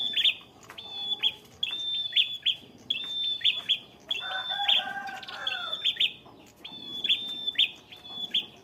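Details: Ngalun song of a fighter bar-winged prinia, fixed on one pitch: flat high whistles with accented chipped ends, repeated steadily, broken midway by a burst of lower harsh chattering.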